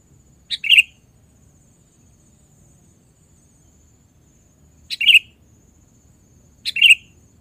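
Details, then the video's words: Sooty-headed bulbul, presented as a lure sound, giving short sharp two-part chirps, each a quick click followed by a bright slurred note, repeated three times at uneven gaps of a few seconds over a quiet background. "PIKAT KUTILANG KAYAK GINI GACOR GAK BRO"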